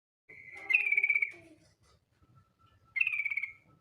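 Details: Female yellow-vented bulbul calling the male with a rapid trill: two short bubbly phrases, bright and pulsed, the first about a second long, the second shorter, with faint low rumble beneath.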